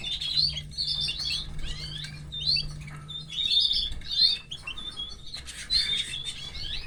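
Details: Female canary feeding her chicks in the nest; the canary chicks give rapid, high squeaky begging cheeps in bursts roughly every second, with a low steady hum underneath.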